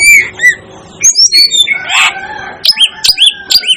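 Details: Asian glossy starling calling: a lively series of sharp, metallic whistled notes and chirps, some with rising or falling inflection, delivered in quick irregular bursts, with a harsher burst near the middle.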